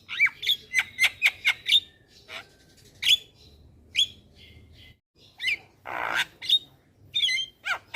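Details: Javan myna song used as a lure so young birds join in: a rapid cluster of six chirps, then spaced whistled notes, a harsh noisy rasp near the end and more chirps.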